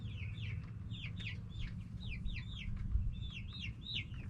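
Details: Backyard chickens, hens with roosters, chattering steadily; clear high falling chirps come in quick pairs and runs from several birds over a persistent low background rumble.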